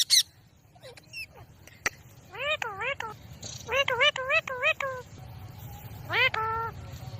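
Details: Ringneck parrot voicing a run of rich, wavering, warbled notes in quick clusters, then a longer sliding note. Brief sharp clicks and a low background rumble are also heard.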